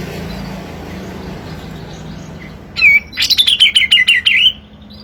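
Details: Kapas tembak song with dense 'tembakan' bursts, meant as master and lure for lazy birds: after a quiet hum, a sudden fast volley of shrill chattering chips with a slight downward slur, lasting about one and a half seconds.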